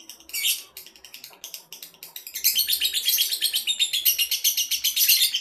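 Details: Male lovebird, judged ready for a singing contest, delivers a long, fast, harsh chattering song of dense high twitters, several per second, building into a continuous loud stream.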